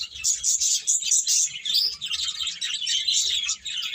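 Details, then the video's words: Lively bird chorus, bright high-pitched chirps and squeaky whistles stacked densely, loud and unbroken. "Cute Birds Chirping Sounds"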